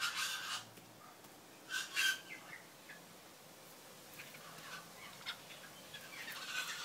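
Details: Two 1-year-old juvenile Lady Amherst's pheasants in an urban aviary in Melbourne, Australia, give a few brief, scratchy chirps and thin peeps at irregular intervals, with quiet rustling and low background noise between them.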